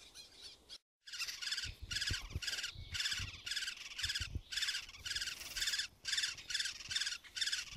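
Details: Woodpecker chicks begging inside a nest cavity, recorded 23 May 2019 in Blachownia, Poland: rapid, harsh, buzzy rasping bursts repeated about twice per second in a steady chorus, with faint low rustling beneath.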